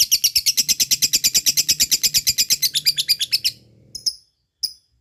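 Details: Ngekek chatter from a fighter lovebird, a song meant to stimulate reluctant lovebirds to sing: quick run of shrill repeated notes that fades after about three and a half seconds, followed by two short isolated chirps.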